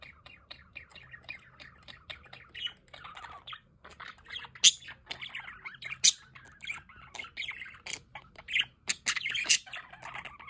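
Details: Several budgerigars in an outdoor aviary with a solar fountain keep up continuous chatter: buzzy warbles, clicks and sudden sharp squeaks spaced unevenly through the flock noise.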